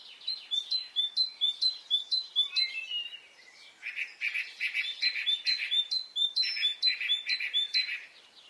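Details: On a spring morning in Brittany, birds sing steady runs of high flicked whistles, with a lower, rougher chirping voice joining in repeated bursts through the second half.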